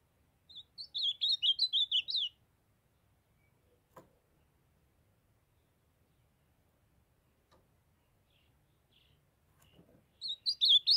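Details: Young ultramarine grosbeak from Brazil's Northeast, kept since its brown juvenile plumage, sings a short warbled phrase of slurred notes that rise and fall, then falls silent before starting a second phrase near the end; faint clicks between.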